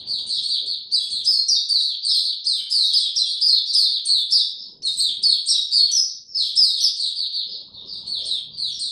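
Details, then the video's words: Kept white-eye (mata puteh), no health supplements given, recorded 29 April 2022, in its opening song: long, lively bursts of high, rapid twittering notes, split by short pauses, with faint rustling now and then. "Mata Puteh Hercules buka sing"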